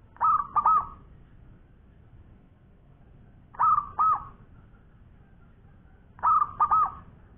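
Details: Local zebra dove singing eagerly, three evenly spaced phrases about three seconds apart, each two quick bursts of soft rolling, hiccuping coos.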